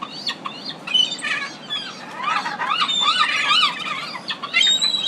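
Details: City gulls on the Pacific coast in a busy chorus, many overlapping squealing and mewing cries of varied pitch running continuously.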